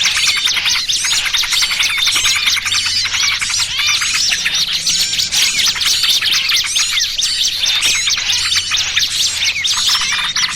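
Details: Lure recording to attract small birds for trapping, trucukan combined with 'burcil kejepit' calls: long, dense chorus of high sharp chirps and rapid twittering, about two notes a second, constantly overlapping.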